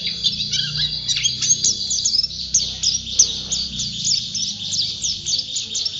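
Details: Champion white-eye in vigorous song, pouring out fast, high, squeaky twitters and downward-slurred notes without a break; faint low background hum.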